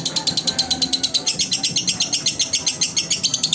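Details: Lovebird singing, offered as training material for other lovebirds: a steady stream of shrill, buzzy chirps, roughly six per second, evenly pulsed and uninterrupted, over faint low room hum.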